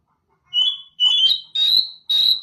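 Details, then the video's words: Oriental magpie-robin calling song, played so other magpie-robins answer: four clear, high whistled notes, each about half a second long, the later ones slightly higher and buzzier, separated by short gaps. "Kicau pangilan KACER... dengarkan di jamin kacer anda pasti nyaut.."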